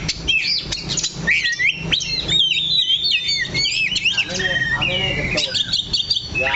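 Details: An Oriental magpie-robin sings from one fixed perch, giving loud, varied phrases of sweeping whistles, crisp chips and buzzy notes delivered almost without pause.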